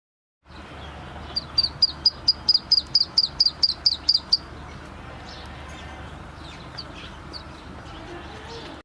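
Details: Chick of black francolin uttering a burst of about a dozen high, piercing peeps in quick regular succession, then fading to scattered faint chirps over a steady background hiss.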